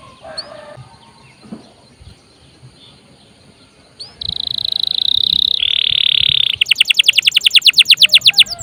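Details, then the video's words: Canary singing hard, a recording to provoke other birds into song or teach them; quiet start with faint background, then a flat buzzy trill, a louder dense buzz, and a fast pulsed series of high notes. "PANCINGAN KENARI GACOR||bisa juga buat master burung lain"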